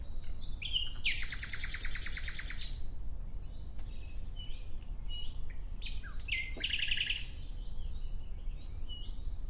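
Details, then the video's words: Nightingale singing outdoors: short whistled notes lead into a loud, rapid, rattling trill, then a pause and a second shorter trill, over a steady low rumble. "Relaxing clear sound of Nightingale"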